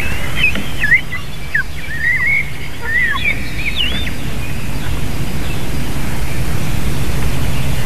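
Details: Female eagle and eaglets crying at the nest before feeding, 7 June 2023, late afternoon: a quick string of high, wavering whistled chirps for about four seconds, then fading to wind noise only.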